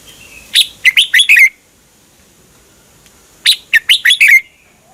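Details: Red-whiskered bulbul, a caged Thai songbird, song played to train or excite other caged birds; two bursts of four to five quick, sweet warbled notes sliding around a bright pitch, separated by about two seconds of quiet.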